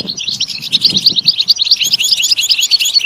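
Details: European goldfinch singing to stimulate other birds: fast tinkling twitter of bell-like notes, about three per second, over a faint low murmur.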